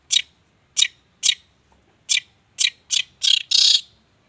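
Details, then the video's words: Songbird known as a regular contest winner uttering harsh, loud, high chirps at uneven intervals, growing longer and noisier into a final scratchy burst. "kicau gacor langganan juara"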